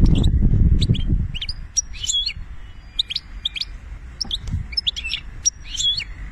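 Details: European goldfinch from Algeria singing in the banna style: bright, scattered chirps and short twittering phrases with quick high whistled notes, broken by brief pauses, over steady low rumbling background noise.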